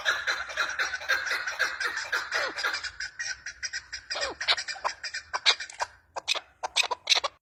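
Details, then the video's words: Female chukar partridge giving rapid chattering calls over a steady raspy background, which then give way to spaced, sharp chuck notes in uneven bursts toward the end. "FEMALE CHAKOR OF BEST SOUND FE MALE ZARK WAAZ-FE MALE ZARK VOICE- FE MALE CHAKOR VOICE"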